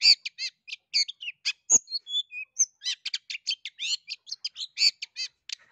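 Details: Lively long-tailed shrike song for coaxing a quiet shrike: quick harmonic chirps, a brief sequence of clear whistled notes, then a steady rattle of high scratchy notes.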